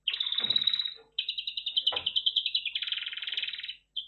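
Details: Red factor canary singing long fast rolling trills with rapid pulsed notes, broken by a brief pause, with a faint low thump in the background.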